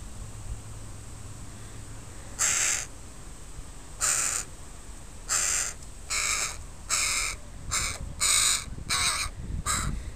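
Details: Crows of a family with young birds in a park on a Sunday. A quiet start with a low hum gives way to about nine rough, grating caws, spaced unevenly and coming faster toward the end.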